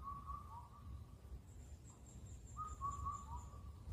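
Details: Rhythmic four-note whistles of an Indian cuckoo, Cuculus micropterus, recorded on Cheonmasan, Incheon, Korea, where it sings all night late in spring; one phrase ends as another begins, while thin high notes from another bird sound faintly behind.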